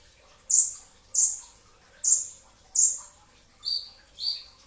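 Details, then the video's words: Before dawn at sahur, a brown-throated sunbird gives rapid 'tembakan' shots: six piercing notes, the first four very high and sharp, the last two a little lower and longer, spaced about two-thirds of a second apart. "kicau konin dacok, kolibri ninja 2tak dada coklat full tembakan rapat di saat sahur"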